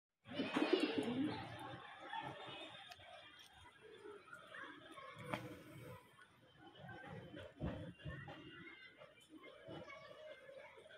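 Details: Pigeons roaming a rooftop garden give a low, throaty coo at the start, followed by soft rustling and scattered clicks.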